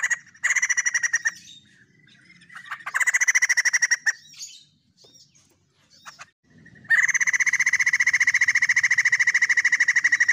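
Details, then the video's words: White-crested laughingthrush in full, lively song: long bursts of rapid, evenly pulsed rattling notes, harsh and buzzy, broken by short pauses and a few scattered chips, the last burst running steadily for several seconds. "BURUNG POKSAY JAMBUL PUTIH GACOR 100% SUARA TEMBUS"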